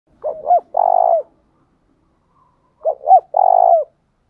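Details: Spotted dove call used to provoke a bird into singing: two loud phrases, each of two short hooked coos followed by a long, even, slightly buzzy note, about two and a half seconds apart in silence.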